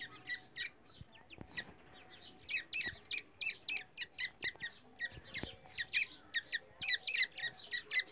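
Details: Black francolin calling in India, used to lure and trap francolins: rapid, scratchy, high chirping notes in uneven bursts, running nearly continuously, with occasional sharp clicks.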